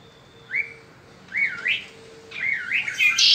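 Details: Peninsular mockingbird spring song: a few slurred rising-falling whistles followed by a loud harsh buzzy note at the end.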